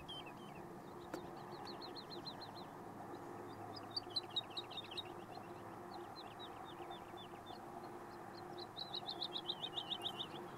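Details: A Woodlark at La Puebla de Valverde, Spain, gives several short phrases of fast, repeated, liquid descending notes, each a quick rolling series, over a steady low rumble.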